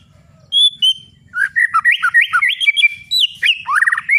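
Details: White-rumped shama song used to stimulate other birds: a pure whistled opening, then a rapid, varied run of bright chirps, slurred whistles and rising and falling notes, with a faint low rumble beneath.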